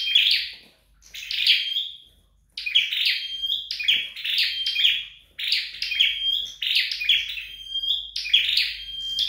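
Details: Caged flowerpecker practicing its song at home: after a pause, a string of high chirpy bursts with a level whistled note holding through each, about eight phrases delivered nearly back to back.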